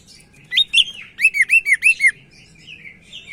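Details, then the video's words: Sumatran leafbird from Medan singing actively as a tutor for young birds: a rapid series of about eight bright, downslurred chirps at roughly three per second, then softer trailing notes. "Burung Cak Ijo Medan Gacor"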